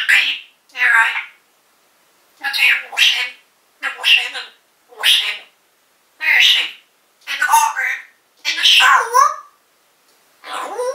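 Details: African grey parrot kept caged at home, 2012, talking and calling the owner's mum: eleven seconds of evenly spaced speech-like phrases, nine or ten loud syllable bursts, the last trailing into a falling tonal squawk.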